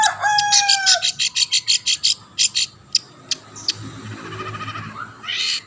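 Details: A long-tailed shrike sings to provoke other shrikes: two drawn-out whistles open the phrase, followed by a regular series of short harsh pulses about three per second, then scattered notes over a low background hum.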